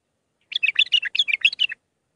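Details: Bulbul giving a Mandalawi-style song, part of a six-phrase sequence for training young birds: one continuous, rapid string of bright, fluty warbled notes lasting just over a second.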